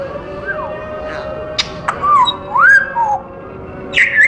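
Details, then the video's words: Caged pet African grey parrot vocalising: a run of clear swooping whistles, rising then falling, mixed with sharp clicks and squawky notes, over a constant low household hum. "kookoo the African Grey sounds"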